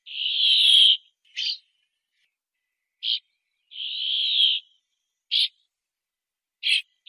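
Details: Brambling (Fringilla montifringilla), song.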